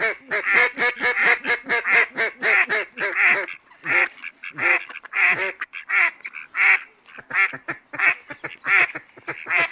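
Mallard giving a steady run of harsh, nasal quacks, roughly one or two each second, some overlapping as from several ducks.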